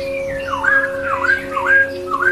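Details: Slow, mellow whistles of a white-rumped shama in therapy audio: long gliding notes that dip and rise in smooth waves, with a thin steady tone in the background.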